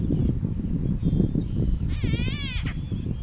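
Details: A single nasal, rasping greater blue-eared starling call, recorded in Southern Africa, lasting under a second, rising then dropping, over steady low wind rumble.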